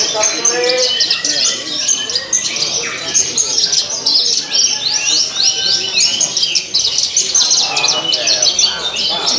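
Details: Javan bush lark singing hard from the contest pole at a song competition, a rich 'isian' fill: rapid high chirps, trills and downslurred notes packed together without pause; low crowd voices at the start.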